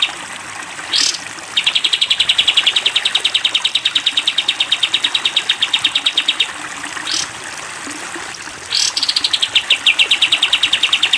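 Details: Sooty-headed bulbul in a cage, singing 'tembak panjang' for use in training: a long, fast series of clipped notes, framed by splashes of water, with a further rapid run at the end.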